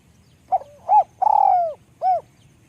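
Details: Small-voiced spotted dove cooing: a brief low note, an arched coo, a long drawn-out falling coo that begins with a rattling burr, then a final rounded coo, all clear against a quiet background.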